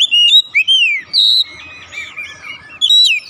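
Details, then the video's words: Oriental magpie-robin, locally kacer, giving lure song to spark a silent bird: long slurred whistles sweeping down, a bright held note, a softer warble, then one more loud whistle. "memancing ncept Kacer macet bunyi langsung gacor"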